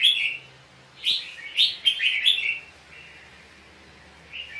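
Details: Red-whiskered bulbul singing in a fighting contest, recorded for use as a lure to stimulate other birds: a burst of fast, liquid, chirpy notes around the middle, with softer single notes before and after.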